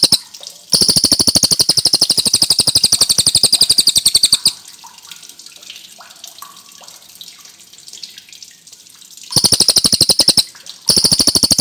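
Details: Cililin singing clearly in a rapid, sharp, high series of chip-like notes, about four per second, in two bursts separated by a quiet stretch with running tap water and faint chirps.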